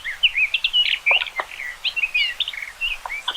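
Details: A common rock thrush delivers a dense, continuous warble of quick fluty whistles and twittering notes, varied in pitch, with sharp downward clicks scattered through.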